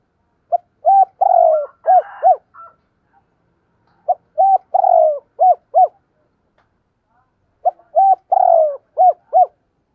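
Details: Spotted dove, a caged decoy bird, calling in the morning: three phrases about three seconds apart, each a short note, a rising-falling coo, a long rough burred coo, then two clipped arched coos; no other sounds.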